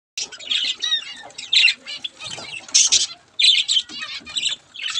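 Zebra finch chicks give a continuous chorus of harsh, raspy, high squeaky calls, with bursts every half second or so and louder peaks overlapping.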